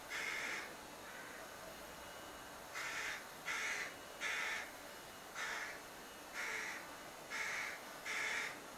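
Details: Young crow in a cherry tree outside a window, begging insistently: around nine raspy caws, some in quick pairs, others spread out with pauses of a second or more.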